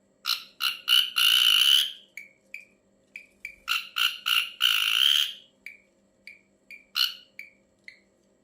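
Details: Ashy drongo making a strange sound: a series of grating rasps leading into a long buzz, scattered short chips, a second rasping series with a drawn-out buzz, then more chips.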